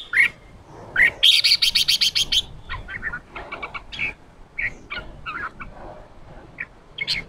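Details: A wild-caught male red-whiskered bulbul in a cage, stimulated to sing 'ché' fighting song, gives a fast scratchy chatter of about ten notes. Scattered sharp chirps follow at irregular intervals.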